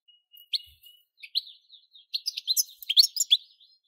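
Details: Goldfinch singing: quick bursts of bright, tinkling twitters and short chirps, sparse at first, then a dense run of liquid, high notes near the end.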